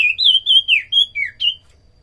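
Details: Common iora (sirtu cipoh) singing in a lively recording used to lure birds and train other songbirds: a run of clear, high whistled notes, some level, some slurring downward, about six phrases in under two seconds.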